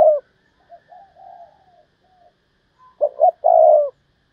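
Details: Decoy spotted dove calling to lure wild doves in the 'thúc bổi' manner. A coo ends at the start, quiet distant wavering calls follow, then a clear phrase of two short hoots and a long coo.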